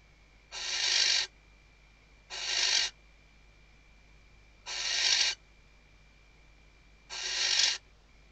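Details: A female barn owl (Tyto alba) stuffs her nest at Riet Vell reserve, Ebro Delta, Spain, during the 2023 season, calling the male with four loud hissing shrieks of similar length at uneven gaps of one to two seconds.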